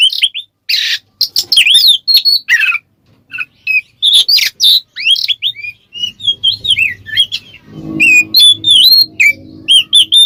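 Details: Lure recording of an Oriental magpie-robin singing ngeplong: bursts of harsh rasping notes and rising whistles, later a run of clear repeated whistled slurs with a brief low rumbling noise in the background.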